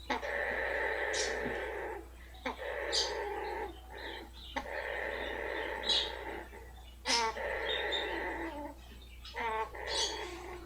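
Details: Pet blue-fronted amazon purring while her rump is rubbed, which she enjoys: long steady buzzy droning purrs lasting a few seconds each, broken by brief pauses and sharp snorting bursts.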